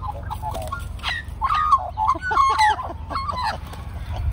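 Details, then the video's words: A large group of magpies, at least three families living together for over a year, serenade an old man who has befriended them. Overlapping warbled, fluting notes with bent, slurred tones rise and fall in a busy chorus. "Magpie Army Serenades Old Man"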